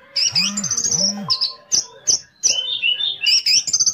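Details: Orange-headed thrush pouring out a bait song to provoke rival orange-headed thrushes into singing; high whistled phrases and quick chips in bursts, with two low arching tones near the start.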